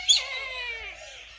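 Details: Caged Brahminy kite giving a single drawn-out, high, wailing mew that slowly fades and droops in pitch, said to sound like a crying child; no other sounds.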